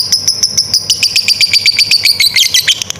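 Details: Lovebird delivering its long 'ngekek' trill, used as a training model for young and silent birds: rapid, evenly spaced high chirps run continuously for three seconds, rising slightly in pitch near the end, with no other sounds.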